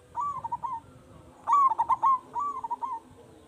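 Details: Strong-voiced local zebra dove used as a lure for other zebra doves; a brief sequence of three rolling coo phrases, the middle one loud and stuttering, the others softer and shorter.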